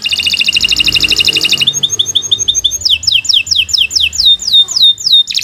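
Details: Kenari Nusantara canary singing a long gacor master song for training young or silent birds: dense buzzy trill, then crisp evenly spaced high chips, then a string of loud swooping whistled notes.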